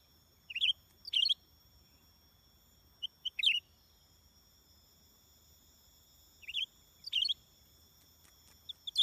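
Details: Greater green leafbird used as a lure bird for trapping, giving short, sharp, high, bright chirped phrases in bursts every few seconds over a faint steady high-pitched hum.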